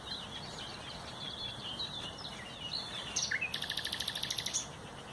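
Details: On 30 April 2021 a common nightingale gives soft wavering whistled notes, then a sudden burst of rapid, rattling repeated pulses for about a second before falling silent.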